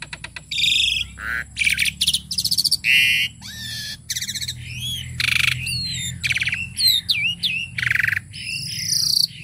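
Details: Full, varied song from a tame jalak suren (Asian pied starling): dense stream of buzzy rasps, whistled upward and downward slurs and chattering phrases, almost continuous, with a thin steady whine in the background.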